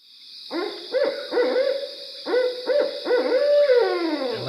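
A Barred Owl gives a rhythmic series of deep, resonant hoots ending in a drawn-out, falling note.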